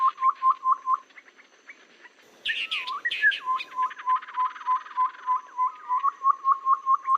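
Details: Babbler lure call used for bird trapping, said to work in rainy and dry seasons. Short repeated notes, a pause, then a harsh chattering burst of chirps, followed by a long, even series of quick notes.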